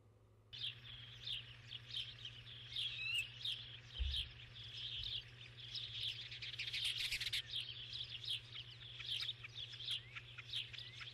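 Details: Starling calls: dense, harsh, high chirps and short buzzy notes pour out almost nonstop after a half-second pause. Brief louder bursts come near the middle. A steady low electrical-sounding hum runs underneath.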